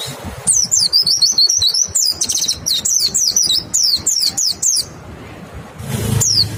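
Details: White-eye song used as a lure to prompt other white-eyes to sing, clear-voiced: rapid high twittering of quick rising-and-falling chirps in dense bursts, a short pause near the fifth second, then a final burst over low background rumble.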